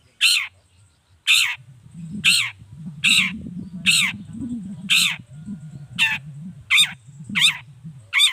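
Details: Long-tailed shrike repeating loud rasping squawks to provoke other shrikes to respond; about ten harsh, down-curved notes at uneven intervals, over a steady low droning background.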